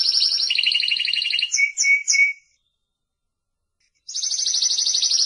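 A Spanish Timbrado canary sings fast, metallic rolled trills and three bright bell-like notes, falls silent for over a second, then resumes its rapid high trilling.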